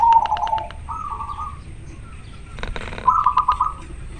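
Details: A local zebra dove in breeding condition, cooing from a perch, gives three soft, rolling, purring coo phrases, each about half a second long, with faint clicking and light background hiss.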